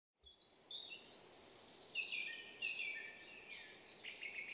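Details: Eurasian nuthatch calling: short, sharp whistled notes that slide downward, given in quick bursts at high pitch. Other high chirps and twittering overlap throughout, over a steady background hiss.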